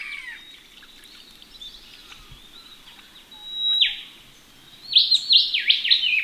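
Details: Ring-necked parrots in Australia bathing in a pond on a chilly winter or spring morning: faint high chirps, then a shrill call near the middle and a burst of loud, harsh, rapidly repeated notes near the end.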